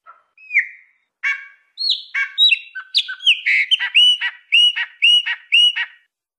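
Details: Chopi blackbird in wild-style song, the Minas Gerais 'canto mateiro': clear whistled notes opening a rapid phrase of slurred, falling whistles and clicks, ending in a run of repeated downslurred notes about three per second.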